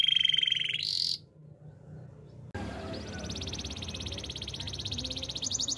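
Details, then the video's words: Belgian canary singing in the morning, a bright trill breaking off into near-silence, then a quieter rolling high trill over a noisy background. "Canary training song! Belgian canary sing in the morning"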